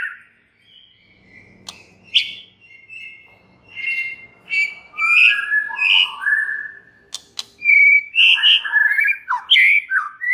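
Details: Song of a white-rumped shama intended to trigger other shamas, starting with soft thin whistles over low background rumble, then building into loud varied whistled phrases and quick chirps.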